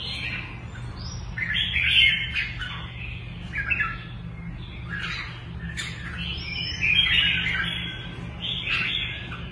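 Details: Caged contest red-whiskered bulbul singing two main bursts of bubbling, warbled whistles with quick chirps between them. A low electrical-sounding hum runs throughout.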